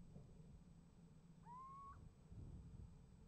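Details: Little owl at a nest box on 28 January 2015, calling and getting an answer. A single rising, sustained whistled note sounds over a low, steady rumbling background.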